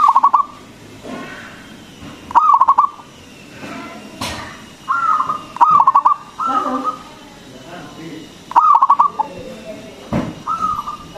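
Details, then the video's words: Zebra dove (perkutut), a local bird with a strong voice, sung as a lure for other doves. Repeated stuttering coo bursts and level drawn-out coos follow one another every couple of seconds, with some clicks and knocks. "PERKUTUT LOKAL GACOR SUARA BESAR ISTIMEWA PANCINGAN BURUNG PERKUTUT AGAR BUNYI"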